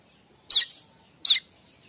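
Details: Streaked weaver giving its chattering kemrecek call, used as a lure for weavers; two sharp, high, harsh chips about three-quarters of a second apart, in a quiet background.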